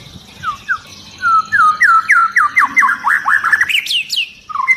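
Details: White-rumped shama, long-tailed, agitated and provoking other shamas into song, delivering dense high 'tembakan' bursts: about fifteen quick downslurred whistles in a tight run ending in high sharp notes.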